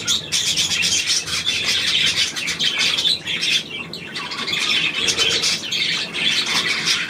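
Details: Budgerigars, 9 February 2024, keep up a lively stream of scratchy chirps, squeaks and warbled notes, with a short lull just before the fourth second.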